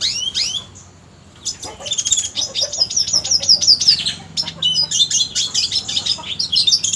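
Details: Red siskin song used to train contest songbirds: a few high sweeping notes, a short lull, then a long rapid stream of bright twittering chirps and trills, very high pitched and densely packed.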